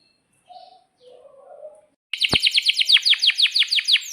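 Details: Canary in full rolling song, used as a lure to set other canaries singing: a short quiet stretch of soft low notes, then a loud burst of rapid, evenly repeated high downslurred notes, about three per second.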